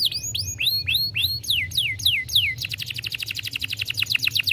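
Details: A young canary sings slow, loud downward-swooping whistles about four per second, then switches to a fast, even trill of short high notes.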